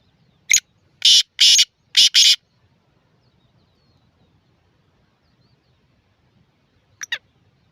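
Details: Black francolin: a loud, harsh grating call of four rasping bursts within two seconds, then silence and a short double note near the end.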